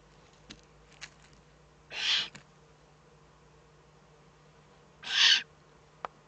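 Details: Eurasian eagle-owl recorded in the German Eifel on 3 May 2014: two hoarse, hissing rasps three seconds apart, with a few faint clicks and a steady low hum between them.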